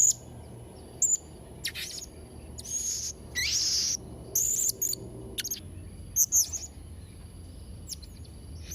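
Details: Blue-crowned hanging parrot in full chattering song: scattered very high, thin squeaky notes and short shrill trills in bursts, some notes sliding, with gaps of faint background hum between phrases.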